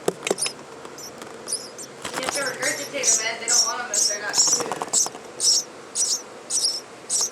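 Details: Baby birds in a nest in an attic vent refuse offered worms and beg for regurgitated worms from the parent: high, thin squeaky chirps repeated about twice a second, with a man speaking over them in the middle.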